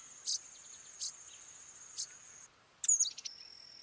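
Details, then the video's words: Brown-headed cowbird giving three sharp clicks about a second apart, then after a pause a loud, high, thin whistle sliding downward with a stuttering rattle, insects buzzing steadily. "Brown headed cowbird call / song / sound"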